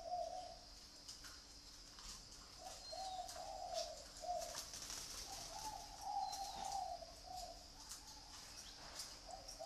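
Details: Zebra dove kept as a pet bird in Vietnam, singing a steady series of soft, low, trilled coos in short phrases, one after another across the whole stretch, over constant background hiss and faint ticking.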